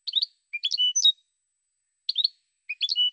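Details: Goldfinch phrases: two short groups of liquid chirps and slurred whistled notes separated by a pause, bright and tinkling, in a quiet setting.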